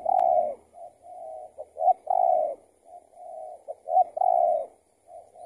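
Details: Spotted dove lured by a decoy during trapping, possibly an escaped tethered bird. Loud coos alternate with quieter answering coos, so two birds seem to call back and forth in steady rhythm.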